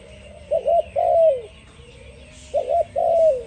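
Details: Spotted dove coos twice, each time a short stuttered note followed by a sustained coo gliding lower, separated by a pause of about a second and a half over faint hiss.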